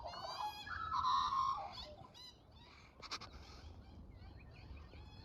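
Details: Australian magpie chick spending the morning with its mother, making baby sounds as she feeds it. A loud, nasal, harmonic squawk runs through the first two seconds. Softer broken calls follow, with a brief sharp burst near the three-second mark.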